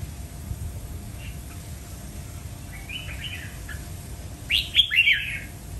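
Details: Red-whiskered bulbul: faint scattered chirps and a short warbled phrase, then near the end a loud run of three ringing whistled notes that slur downward, with a low constant hum beneath.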